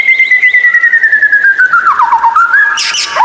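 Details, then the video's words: White-rumped shama tutor song, described as rare and strange, for training lazy captive shamas to sing: one long clear whistle sliding slowly downward, then a rapid run of twisting notes and a burst of high, harsh chatter at the end. "Masteran murai batu langka Suara aneh super gacor buat therapy Murai malas bunyi"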